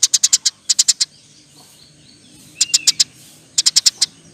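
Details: Eurasian tree sparrow in full nyerecet chirping; two quick clusters of high sharp chirps open, then a quiet gap of about a second and a half before two more short bursts of four to five notes.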